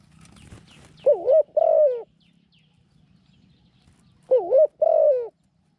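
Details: Spotted dove kept as a decoy to lure wild doves into a trap cage, described as small-voiced and a keen cooer: two pairs of short wavering coos followed by a longer sliding note, separated by a long pause, with faint rustling before.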